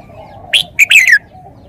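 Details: Red-whiskered bulbul giving a single brief, loud phrase of sharp whistled notes ending in a falling slur, over a steady low hum.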